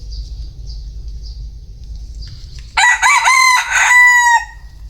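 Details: Bantam chicken crowing once, a raspy stuttering opening running into a sustained, slightly falling final note, with a faint high insect-like trill and low hum beforehand.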